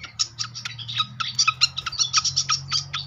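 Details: Srikatan flycatcher song used as a lure to start birds singing: rapid, bright repeated chip notes and short trills over a constant low electrical hum.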